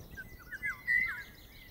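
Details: A Eurasian golden oriole in dense wet ash woodland of the Marais Poitevin, France, a summer visitor present May to late July, gives a short, liquid, fluting phrase of slurred whistles near mid pitch, over faint background hiss.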